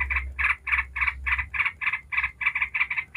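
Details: Yellow-vented bulbul in the ngebren singing style, used as a lure to set other bulbuls singing: a fast run of harsh, chattering two-tone notes, about three per second, with a low hum underneath.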